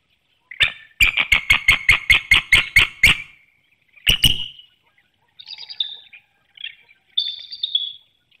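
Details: Bald eagle pair calling to each other at their nest in Hanover, Pennsylvania, before dawn on 18 March 2019 during incubation. A fast staccato run of about ten sharp piping notes, a brief pause, then thin squealing whistles.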